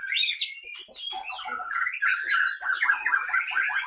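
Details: Caged white-rumped shama from Pining, Gayo Lues, Aceh, in fighting mode; sharp whistled phrases and quick slurred chatter, a dip in the middle, then a burst of rapid warbling notes.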